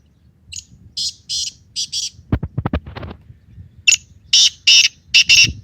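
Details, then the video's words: Black francolin calling in a forest in the morning: two harsh, grating phrases of four to five rapid buzzy notes each, separated by a burst of sharp clicks and thumps. "Morning time forest Black Francolin Voice"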